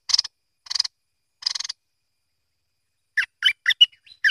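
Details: Bulbul, locally called merbah lekir or kuning: three buzzy rasping bursts open the recording, then after a pause a quick run of short, liquid chortling notes bounces up and down in rapid succession.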